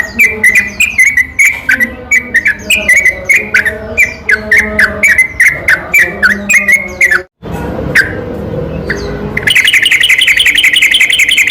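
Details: Yellow-vented bulbul singing at night, a lure song with a long rolling 'ropel' meant to provoke quiet bulbuls. Bubbly whistled notes repeat rapidly, then a brief gap and a dense, even run of sharp notes.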